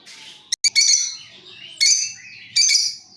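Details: Lovebirds answering each other, used as a lure: three drawn-out, harsh, high-pitched screeching calls, each separated by a short quiet pause.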